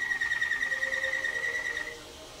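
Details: Caged Waterslager canary at the 2011 WWC singing contest, a bird scoring 114 points including 6 Klok and 5 Bol: one steady, pure held tone with a faint lower tone beneath, fading out after two seconds.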